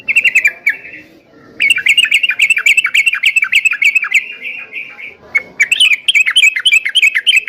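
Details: Yellow-vented bulbul singing strongly to provoke caged birds into answering: a short chatter, a pause, then a long stream of rapid, bubbly, down-slurred notes, followed by another burst.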